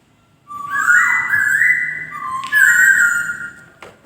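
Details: White-crested laughingthrush giving rich, sustained whistled phrases that rise and step between two pitches over about three seconds, ending with a brief click.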